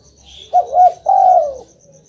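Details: Spotted dove coo for getting a silent pet dove to answer: two quick soft notes followed at once by a long, steady, slightly falling coo, with a regular high-pitched pulsing chirp in the background.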